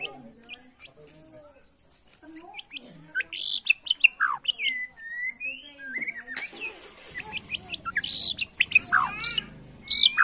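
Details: White-rumped shama of Borneo singing in 'sujud' bowing style to provoke rivals: fast varied chips, downslurred whistles and sharp sweeping notes, growing louder and busier toward the end.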